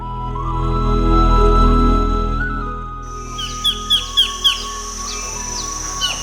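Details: A Collared Kingfisher in mangrove forest on Koh Chang island, Thailand, gives about five loud, sharp, repeated notes, roughly two every second, after three seconds of background music.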